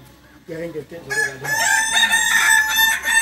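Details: At a Sunday contest in Ampang Kualo, Solok city, a landiak-class Balenggek rooster's crow swells from low clucking into a long, loud, high crow. The crow is layered with other cocks calling at the same time.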